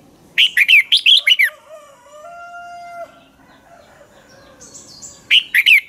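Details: Lure-bird red-whiskered bulbul in dueling song: a quick phrase of about seven loud, rolling warbled notes, a long quiet stretch with faint whistled tones, then another brief burst at the end.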